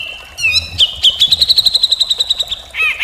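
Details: Cucak jenggot, the grey-cheeked bulbul, singing continuously in rough mbeset kasar style. A clear whistled note and slurred whistles lead into a quick series of sharp repeated notes, ending with downslurred whistles.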